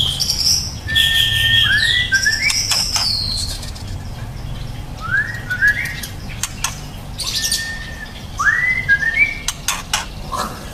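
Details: Young white-rumped shama, a promising fledgling, singing clear whistled notes, some rising and sliding upward, in scattered phrases with clicks and a steady background hiss.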